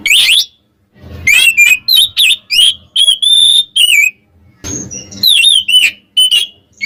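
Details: Oriental magpie-robin song used to rile up rivals: rapid series of rich, clear whistles, some sliding and warbled, some sustained, broken by a brief gap and low thumping noise.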